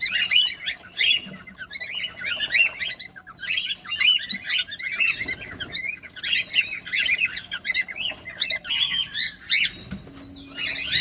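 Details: Cockatiels while feeding, heard close up: dense, overlapping bursts of harsh, scratchy chirps, each sweeping up and down, pouring out almost without pause, with brief quieter gaps around three and nine seconds.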